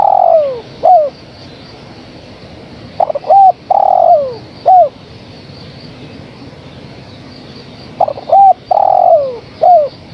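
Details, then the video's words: Female spotted dove calling for the male, three phrases: short double coos, a long falling coo and a brief sliding note at the end of each phrase, with gaps of several seconds. "Suara Tekukur Betina Gacor Memanggil Sang Jantan"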